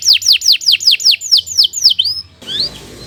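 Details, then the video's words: Canary song as a tutor: a series of slower, loud downslurred whistled notes, about four per second, fading into quiet background hiss. "Kicau Burung Kenari II GACOR PANJANG Cocok untuk Masteran"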